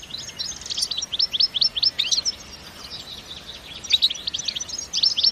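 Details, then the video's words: Energetic btebta song of a European goldfinch, natural recording with no effects: runs of quick, clipped rising twitters, a quieter pause midway, then another lively burst of bright notes. "بتبتة حماسية🔥بدون مؤترات صوتية🎶 تغريد من الطبيعة 🌿"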